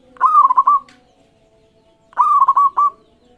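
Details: Local zebra dove singing to encourage rival birds to answer: two clear phrases two seconds apart, each a rising whistle-like coo breaking into three or four quick pulsed notes, in a quiet setting.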